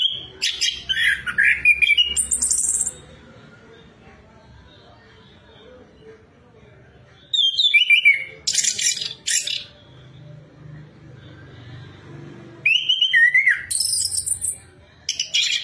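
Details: Orange-headed thrush singing as a lure to stimulate another bird to sing: bursts of loud, varied high whistles and harsh scratchy notes separated by quiet stretches of low background hum.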